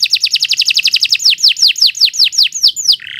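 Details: Canary in long training song: a very fast run of downslurred whistled notes that gradually slows into wider, swooping whistles, ending on a short buzz.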